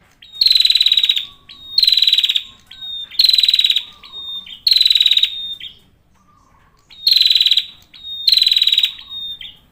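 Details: A male prinia sings busily, delivering six strident buzzing bursts at a high pitch. Each burst lasts under a second and dips slightly at its end. They come at steady intervals, broken by one longer pause midway.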